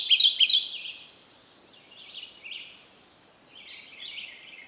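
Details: Kentucky Warbler in shaded understory at Land Between the Lakes, Kentucky, on a cold, dreary, drizzly, breezy morning, recorded with a Canon 7D DSLR; loud rapid burst of repeated high notes at the start, then softer trailing phrases and faint distant song fragments.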